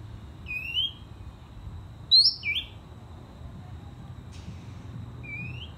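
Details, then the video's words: Oriental magpie-robin, a young bird being tamed, giving sparse, clear rising whistles separated by quiet gaps, over a low background hum. "Cara Menjinakkan Burung Murai Kampung - Cara Menjinakkan Kacer Trotolan - Chòe Than Hót"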